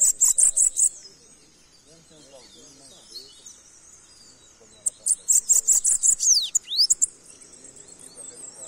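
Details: Saffron finch singing two bursts of rapid, very high, thin notes. The second burst ends in a few sweeping slurred whistles. A quiet gap lies between the bursts.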